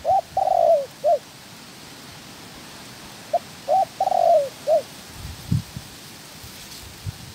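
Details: Spotted dove used as a trapping decoy in training, with a second wild female. Two full coo phrases, each of short notes around a long falling rolled coo, are separated by a pause. A few low thumps come near the end.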